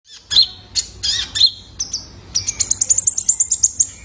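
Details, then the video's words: Juvenile male Purple-throated Sunbird (kolibri ninja), sounds used as a lure to get caged birds singing: sharp high chirps and short whistled notes, then a fast run of about a dozen thin, evenly spaced ticking notes climbing slightly in pitch. "PANCINGAN KONIN BAHAN IKUT GACOR !! COCOK BUAT TERAPI KOLIBRI NINJA - SUARA ANAKAN JANTAN!!"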